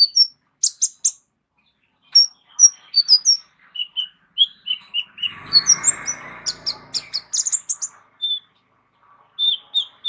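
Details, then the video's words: Kolibri ninja sunbird whose varied song is kept to tutor other songbirds. High thin chirps and short whistled notes come in irregular groups, some dropping lower, with a brief noisy rustle midway. "KOLIBRI NINJA MEWAH ISIAN LENGKAP COCOK JADI GURU VOKAL UNTUK BURUNG JAGOAN KALIAN"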